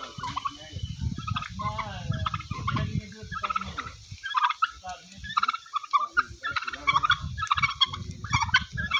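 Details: On a turkey farm in Golaghat, Assam, very big turkey birds gobble repeatedly, with stacked, warbling notes rising and falling in short fast bursts, while low murmuring voices and farm noise sit underneath.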